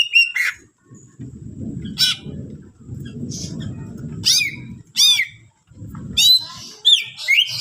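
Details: Greater green leafbird singing a 'full isian' song to provoke other leafbirds: short, sharp, bent whistled notes and buzzy slurs in separate bursts, with gaps between them, over a low rumbling background noise.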